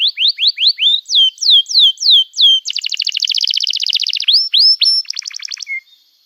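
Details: Canary in full song meant to teach young birds: a run of rising whistled slurs repeated about twice a second, then a dense buzzing trill, scattered upswept notes and a short rattle.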